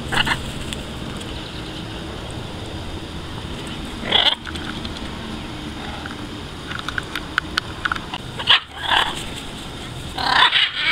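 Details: About 15 wild, free-flying blue-and-yellow macaws visiting to be fed in Caracas, Venezuela on 27 July 2015 give a few harsh, raucous squawks in short bursts a few seconds apart, over a steady hiss.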